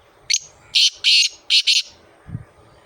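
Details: Black francolin (kala teetar) from Sindh, Pakistan, giving a harsh, grating phrase of five notes: one short rasp, two longer scratchy notes, then a quick closing pair, over a quiet background with a soft low thump afterwards.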